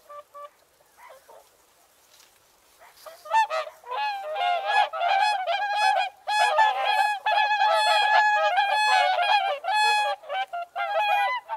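Whooper swans give loud, bugling honks, several birds calling over one another in a steady, overlapping chorus after a few quieter notes at the start.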